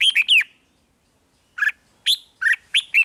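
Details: Red-whiskered bulbul singing in the 'rik' style, played to caged birds to excite them: short bright whistled phrases, a quick burst of three at the start, then a pause and five clipped, warbling notes about every half second, in a quiet background.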